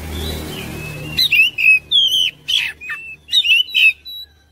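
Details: Oriental magpie-robin song used as a lure to prompt other birds to sing and respond: after a second of low rumble, a rapid run of clear whistled notes and short slurred phrases, bright and varied, broken by brief scratchy bursts.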